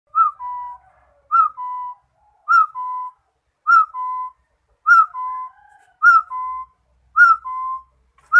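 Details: Rufous-throated partridge singing: clear two-note whistles, a higher slurred note dropping into a lower steady one, repeated about every 1.2 seconds with a faint second whistler in the background.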